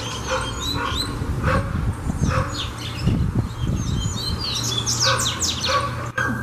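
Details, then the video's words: Double-collared seedeater in song training: scattered high chirps and quick downslurred notes building into a dense burst near the end, with low rumbling noise and knocks underneath. "Coleiro Cantando"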